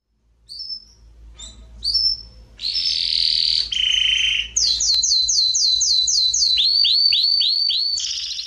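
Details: Domestic Belgian canary singing at a singing competition, 6-cylinder category: thin high whistles, then long loud rolling notes, leading into a fast, regular series of looping descending notes repeated four times a second.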